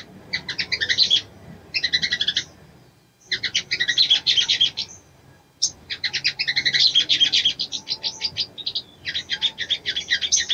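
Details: Female ruby-cheeked sunbird calling a male into breeding mood, with repeated bouts of rapid, high, buzzy chattering separated by short pauses, each bout lasting one to two seconds.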